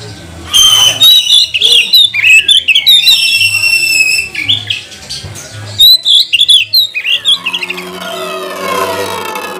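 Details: Oriental magpie-robin song used to provoke other magpie-robins to sing: loud, varied phrases of whistles, harsh chatters and high notes in rapid bursts, with a low hum behind.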